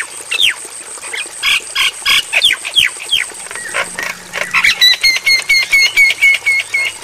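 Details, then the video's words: Javan myna tutor recording for training caged birds, meant to be played at night: harsh squawks and downslurred whistles, then a fast even series of bright whistled notes about four per second, with a steady high hiss throughout. "Masteran Bagus Untuk Burung Jalak Kebo"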